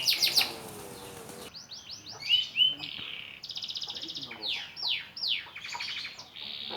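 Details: Young canary practising its song after the moult: high, varied twitters with quick downslurred whistles, buzzy trills and a steady held note, the phrases loose and changing from moment to moment.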